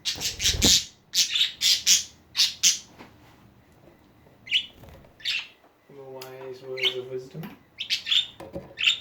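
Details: Budgie chatter opens with a rapid string of loud, scratchy squawks about twice a second, thins to scattered chirps, then a person speaks briefly before the birds resume.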